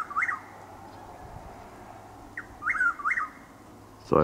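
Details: Early morning Chuck-will's-widow call, Lake Placid, Florida, 12 April 2023, overcast with drizzle: two whistled phrases of a short note and paired swooping whistles, ending with a brief loud knock.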